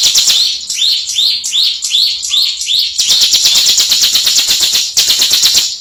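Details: Champion ciblek singer, the bar-winged prinia, delivers rapid rising-then-falling chip whistles for three seconds, then switches to a loud continuous buzzy ngebren trill.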